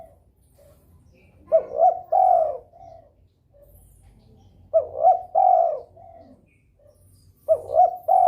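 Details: Spotted dove in breeding mood, calling keenly to stir rivals into calling; three phrases about three seconds apart, each with soft low coos and then a louder three-part coo ending in a long drawn note.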